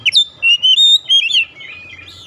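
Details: Oriental magpie-robin song, used as a lure to prompt a silent bird into full song: clear, high whistled phrases, some sliding and warbling, in short bursts with brief gaps. A faint low hum sits underneath.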